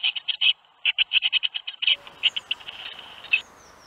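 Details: During the fledging of seven young tits from a nest box in Théding on 21 May 2019, quick harsh buzzy notes repeat in a rapid series, then grow fainter over outdoor background noise.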